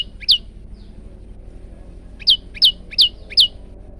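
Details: Male moss prinia (prenjak lumut), recorded for training other birds: a single high, downslurred chirp, a pause, then four more quick downward-sliding chirps in an even series over a faint low background hum.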